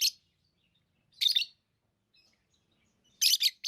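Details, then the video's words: A few sharp, shrill lovebird chirps: a lone burst, a rasping one a second later, then a quick doubled pair near the end. "Love birds Sounds | lovebirds chirping sounds| parrot beautiful sounds"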